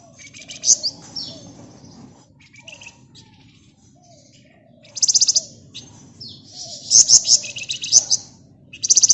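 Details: Flamboyan bird in busy ngebren nyerecet song for use as a lure: high thin twittering interrupted by repeated loud buzzy rattling trills, several in quick succession.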